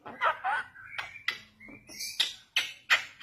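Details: Young Bali myna song used as a lure: harsh broadband bursts mixed with short whistled notes near mid pitch and a high squeal, uneven bursts several times a second.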